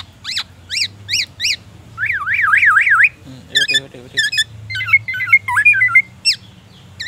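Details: A captive black-naped oriole being sunned in the morning pours out a loud, varied song copied from white-rumped shamas: sharp slurred whistles, a fast rolling trill and chattering notes, over a faint low hum.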